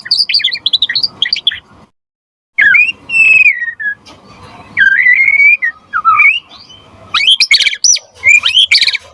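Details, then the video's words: White-rumped shama in loud, gacor form, used as a lure and tutor recording for other shamas: rich whistled phrases with sliding notes and high chattering trills, broken by a brief pause, then rapid sharp bursts. "Suara Murai Batu Gacor Biar cepat BUNYI Auto NYAUT buat Pancingan & Masteran Burung Murai"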